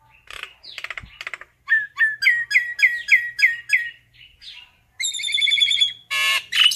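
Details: Common myna calling to gather the flock, with a few scratchy notes, then a rhythmic series of about eight rising whistled chirps, followed by a drawn-out buzzy, rattling phrase and a harsh squawk.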